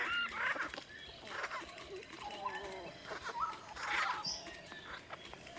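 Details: A male and female Kalij Pheasant at a waterhole hide just outside Kaeng Krachan National Park, Thailand, give scattered high squeaks and soft clucks in short bursts every second or so, over a faint rustling background.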